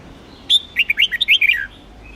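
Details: Singing-contest training of a Huế red-whiskered bulbul: one clear opening note followed by a tumbling run of about eight quick, liquid whistled notes ending on a lower slur.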